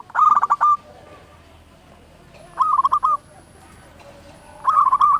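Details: Zebra dove, a local bird singing strongly, gives three short trilled cooing phrases spaced about two seconds apart, each a quick run of bubbling notes, against quiet background hiss.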